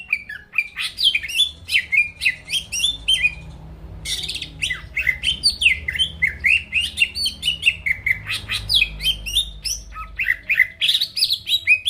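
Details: Greater green leafbird singing continuously to provoke rivals, with varied rapid chirps, whistled slurs and mimicry-like phrases that run on for many seconds with only a brief break.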